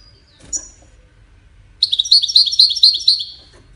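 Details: European goldfinch: a single sharp high chip, a pause, then a rapid rolling trill of bright twittering notes lasting under two seconds, with faint low hum in the background.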